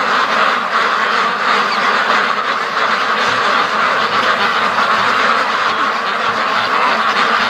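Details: Hundreds of free-range ducks on their everyday rush between home and the lake, a steady wall of overlapping quacks from the whole flock, loud and unbroken, with no single caller standing out.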